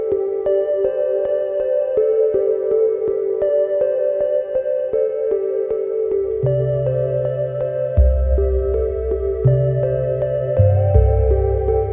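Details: Only ambient synthesizer music is heard, with sustained tones, soft pulses and a deep bass entering halfway, and no animal calls.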